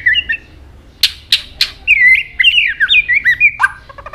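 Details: White-rumped shama flicking its tail and singing many notes: a few sharp clicking bursts, then a lively run of warbled, slurred whistles ending in a quick buzzy rattle.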